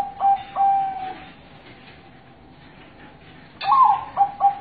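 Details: Local zebra dove song used as a lure: two short bursts of clear, level cooing notes at the start, a long quiet gap, then a louder rolling phrase followed by two brief staccato notes.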